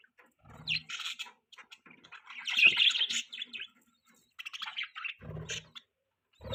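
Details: Budgerigar chirping and singing in a rapid, chattering warble of scratchy and squeaky notes, broken into bursts with short pauses. The busiest, loudest stretch comes midway, and a few low clicks are mixed in.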